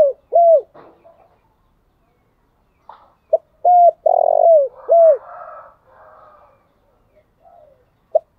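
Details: Decoy spotted dove calling in the morning: a falling coo, then a full phrase of a short note, a level coo, a buzzy rolling coo and a drooping coo, with soft rustling noises around it.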